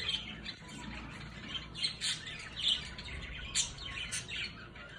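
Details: Orange-fronted parakeets playing, giving a steady stream of high, sharp chirps and short squawks, several per second, irregularly spaced, over a faint low background hum.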